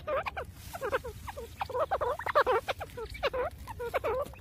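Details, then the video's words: Grey francolin checking for food in jungle: quick bursts of short chirping and clucking notes in irregular clusters, separated by brief gaps. "grey Francolin food checking in jungle گورے تیتر کی خوراک"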